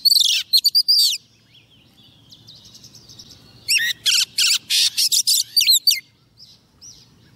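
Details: Decoy female Oriental magpie-robin calling a male with song, a recording meant to provoke males. Loud bright whistles and rapid chattery notes in two bursts, separated by a quieter stretch of soft warbling.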